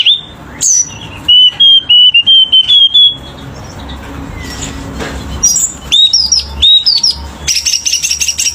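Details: Selendang biru bird singing vigorously with rich varied phrases: loud clipped whistled notes in a wavering run, then a gap, then sharp rising whistles and a dense buzzy ending.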